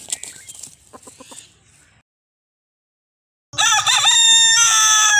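A few soft clucks and faint background sounds, a pause of silence, then a rooster's loud, harsh, wavering crow that carries to the end.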